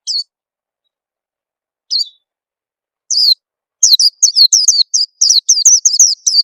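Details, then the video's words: Oriental white-eye lure call for prompting birds to sing: a few isolated high chirps spaced seconds apart, then a dense quick run of bright descending chirps in the final three seconds. "suara pikat burung peleci bakalan biyar cepet bunyi"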